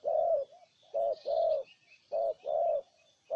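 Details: Spotted dove, Ninh Thuận, Vietnam, calling in close, loud low coos; two paired phrases of a short note followed by a drawn-out coo, a soft trailing note between, faint higher chirps behind.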